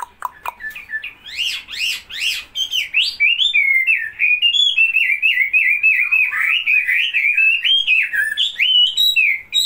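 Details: Wambi, a songbird commonly kept in Indonesian homes in the 1990s, singing energetically: a few rapid looping upswept notes, then an unbroken stream of quick, wavering twittered phrases with no pauses.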